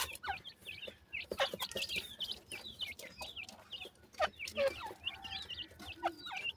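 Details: Evening feeding and play among young francolins, heard as a busy chorus of thin, quick peeps and slurred chirps over scattered tapping knocks.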